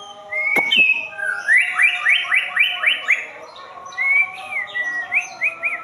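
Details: White-rumped shama song: a loud run of clear whistled notes, then a rapid series of about six rising-falling slurred phrases, followed by lilting whistles that swing up and down, with a brief tap at the start.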